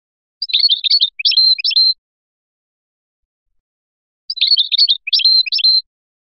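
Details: European goldfinch, Biskra type, in Felyachi song style: two identical short phrases of jumbled twittering notes about four seconds apart, each phrase a pair of rapid tinkling bursts, with nothing else audible.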